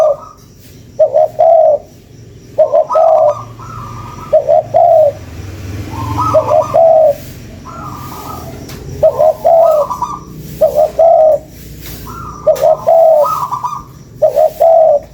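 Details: Spotted dove calling as a lure, a steady series of cooing phrases: short doubled notes leading into long, soft, wavering coos, with fainter higher notes between, repeated about every two seconds over low hiss.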